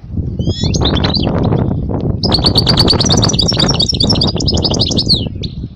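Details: European goldfinch singing as a song for young goldfinches to learn, a brief twitter and then a long rapid run of liquid, jangling chirps and trills over steady low background rumble.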